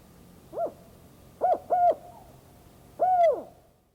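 A Spotted Owl gives four low, hollow hoots: one note, a quick pair, then a longer, drawn-out final hoot. The background is quiet.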